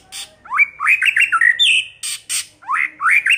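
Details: White-rumped shama early-season song in bursts: quick upslurred whistles and slurred notes, broken by harsh noisy rasping bursts, phrases tumbling close together.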